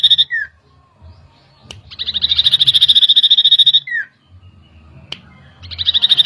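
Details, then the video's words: Common iora song used as a lure to make birds agitated: a short whistle, then a fast rattling trill of sharp high notes, about eight per second, lasting nearly two seconds and ending in a down-slurred whistle, then the trill resumes. "PANCINGAN CIPOH LANGSUNG EMOSI"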